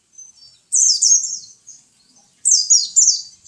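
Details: Pet white-eye, known locally as pleci, giving two short bursts of rapid, high, thin twittering notes that slide downward, separated by a pause of more than a second, with a quiet background.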